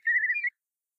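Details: Curlew singing in flight gives a single clear whistled note, about half a second long, level then slightly rising, followed by silence.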